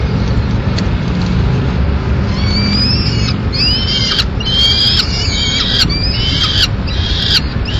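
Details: Peregrine falcon nest in Madrid, where the male feeds chicks on a swift he has brought. Harsh, slightly rising wailing calls start after a quiet opening and repeat irregularly over a steady low rumble.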